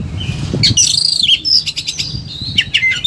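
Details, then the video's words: Agitated Oriental magpie-robin producing harsh rasping bursts, a ringing whistle and rapid clicking notes, ending with sharp chirps, over low background rumble; a master recording for prompting other birds. "KACER EMOSI TINGGI BONGKAR SEGUDANG MATERI"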